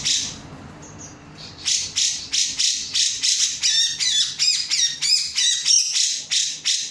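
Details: Cucak jenggot, the grey-cheeked bulbul, calling in full emotion as a lure: a fast, steady series of harsh, scratchy bursts, some with chattering tonal edges, about three per second.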